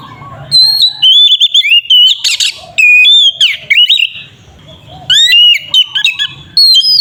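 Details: Caged oriental magpie-robin singing aggressively as a lure for other magpie-robins: rapid varied whistled phrases, slurred notes and harsh buzzy bursts, pausing briefly before another burst of loud whistles.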